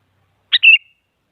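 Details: Sooty-headed bulbul singing actively to provoke rivals: a single short phrase, a sharp note then a smooth, slightly wavering whistle lasting about a third of a second, in silence.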